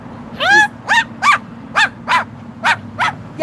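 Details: Excited pet Moluccan cockatoo on a patio in the evening, barking on seeing people; eight harsh, dog-like barks with bending overtones, roughly every third of a second, the first longest and most drawn out.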